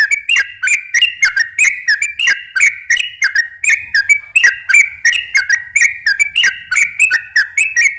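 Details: Sooty-headed bulbul singing prolifically in slow and long rolling phrases, used to lure other bulbuls; rapid bubbling whistled notes, about three per second, with sharp clicky starts, continuous throughout.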